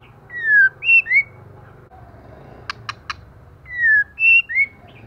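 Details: Moulting female white-rumped shama singing intensely, snapping with feathers flying: bright whistled slides, some falling, some rising, in two bursts around a trio of sharp clicks, over a low steady hum.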